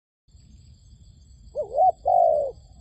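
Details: Decoy dove calling in a trap set to lure wild doves: a wavering, hollow coo followed by a longer, steady, slightly falling note, over a low rumble.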